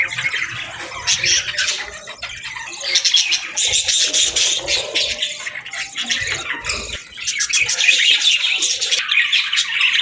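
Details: Budgerigars calling in the afternoon, a dense chatter of warbled, buzzy chirps and squeaks in bursts, with brief quieter gaps near two and seven seconds.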